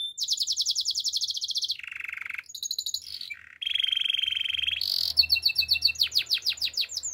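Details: Gloster canary singing as a training song for canaries: long rattling high trill, a lower buzzy roll, a short mid trill, a sustained dense trill, then rapid repeated falling whistles.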